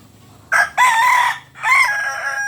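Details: Crowing Kokok Balenggek cock, a breed native to Solok in West Sumatra: a brief harsh note, then a sustained ringing syllable, a short pause and another rising-then-falling stepped phrase, all loud and close.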